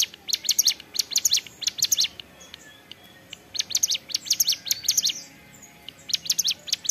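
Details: Repeated ceplekan-style phrases from an energetic hill prinia (ciblek gunung): several clusters of quick, sharp, high chirps, each burst separated by a short pause.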